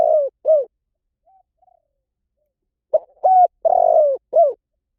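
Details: Spotted dove giving its coo. A pair of short falling notes opens. After a quiet pause comes a phrase of clipped, rising-then-falling notes around a long, grating middle coo.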